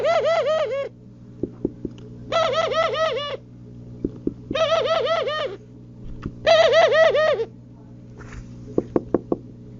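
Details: Four loud, bright pigeon coo phrases, each a quick rhythmic series of bouncing pulses lasting about a second, separated by pauses with soft clicks and a low steady hum.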